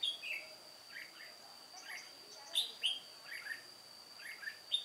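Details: Red-whiskered bulbul, a white-cheeked old decoy bird singing solo during trapping on 1 July 2018: short bright chirps and slurred warbled notes in quick, irregular bursts over a steady high-pitched whine.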